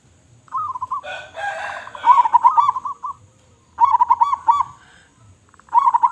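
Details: A local zebra dove with a big voice sings repeated stuttering coo phrases, while a harsh, noisy sound briefly overlaps the second phrase.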